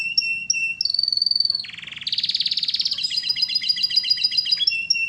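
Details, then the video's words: Canary sings continuously in a lively, varied sequence: high whistled notes, a fast rattling trill, then a bright rolling trill of rapid repeated notes. A soft low hum runs beneath. "kicauan burung kenari gacor full paling indah dan merdu"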